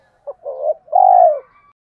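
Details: Spotted dove, male and female calls for stimulating birds in training: one brief low note, a wavering coo, then a long drawn-out coo sliding downward.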